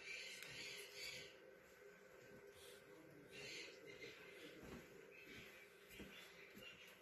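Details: A Eurasian magpie in an animal shelter mimics human speech in raspy, wheezy, breathy bursts of babble, broken by short snorting clicks, in a small quiet room.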